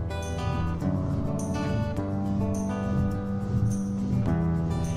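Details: Soft strummed acoustic guitar music plays throughout, with no animal sound.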